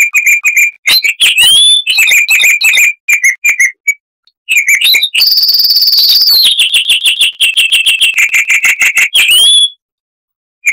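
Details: Loud, crystal-clear song of the chestnut-vented warbler from southern African scrub: long rapid strings of ringing chips, some slurred whistles rising sharply, and a steady high trill in the middle, nearly continuous for ten seconds.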